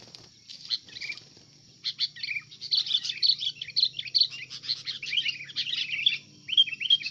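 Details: Pet sooty-headed bulbul under attack by another, fighter bulbul: bursts of rapid, scratchy high chirps and twitters, tumbling and overlapping in busy flurries after a short pause, with a few clearer downslurred notes near the end, over a faint steady whine.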